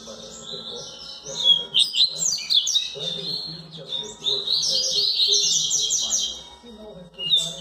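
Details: Double-collared seedeater (coleiro), Bahiano line, during chick season, sings rapid phrases of high twittering and whistled notes, about four per second. A longer, dense warbled stretch in the middle fades into a low mechanical hum underneath.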